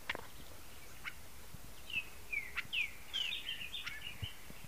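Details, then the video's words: Azure-shouldered tanager singing in the wild in woodland: a run of short, high, sliding whistled notes, several falling or rising strokes strung closely together, with a few sharp clicks and faint background noise. "sanhaço frade no mato"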